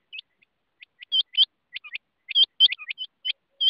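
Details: Rain quail uttering a rapid jumble of bright, high, metallic notes, mostly in quick pairs with softer single notes between them, densely packed over a few seconds.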